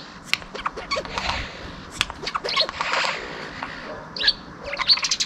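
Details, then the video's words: A Eurasian jay mimics, on 18 February 2023, a car failing to start in the morning (grinding churrs), sparrow chirping (scratchy chirps) and a ringing bell (clear bell-like pings) in a medley. "Hangutánzó mátyásmadár: "nem indul az atuó, verébcsipogás, csengő""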